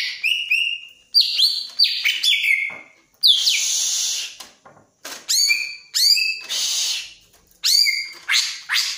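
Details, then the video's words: Greater green leafbird eager to mate sings a varied run of sharp downslurred whistles and raspy bursts in short phrases, with brief pauses between them. "Suara Burung Cucak Ijo Lagi Sange"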